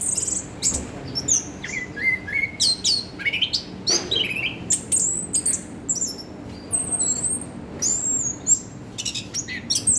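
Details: Orange-headed thrush singing a rich medley of high whistles, sharp upslurred notes and brief buzzy trills, phrases tumbling one after another with little pause.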